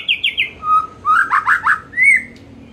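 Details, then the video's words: Afternoon song of a white-rumped shama, used to spur shamas into fuller singing: three quick falling whistles, a steady low whistle, a burst of rapid warbled notes, and a final bright rising whistle. "Pancingan SORE HARI efektif jadikan MURAI jadi LEBIH GACOR dan NGEPLONG"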